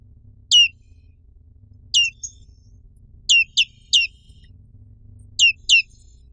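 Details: Pleci black capped, the black-capped white-eye, calling with sharp descending chirps, some single and some in quick pairs, seven notes in all over roughly five seconds.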